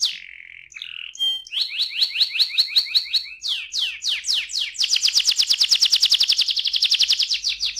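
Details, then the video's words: Canary song meant to stimulate other canaries to sing: after a few opening notes come fast, even rolling trills of repeated chirps that speed into a long, dense, ringing roll. "KENARI NGEROL AMPUH BUAT PANCINGAN KENARI"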